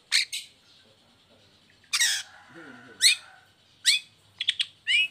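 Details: Caged long-tailed shrike singing after its cage cover is opened, used as a lure to get lazy or moulting shrikes to sing: harsh, scratchy high notes in short separate bursts, some sliding downward, with long pauses between them.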